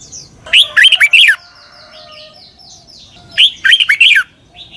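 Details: Red-whiskered bulbul singing a southern Thai doubled phrase for young birds to copy: two bursts of fast, loud, swooping whistles about three seconds apart, with a thin high tone and faint chirps between.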